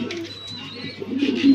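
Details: Pigeons at a farm in Mirpur, Dhaka, heard indoors; a low murmuring coo that swells at the end, with faint higher rustling and chatter behind.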